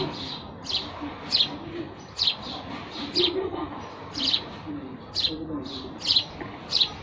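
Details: Sparrows giving chirping calls: short, sharp chirps repeated about every half second, some doubled, over a low murmuring background.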